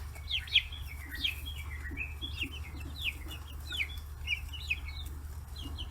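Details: Growing chicks, 40 days old, raised free-range in Kitahiroshima, Japan, gathering around fish heads; loud overlapping high peeps and chirps repeated in quick bursts, with softer lower clucking murmurs beneath and a steady background hum.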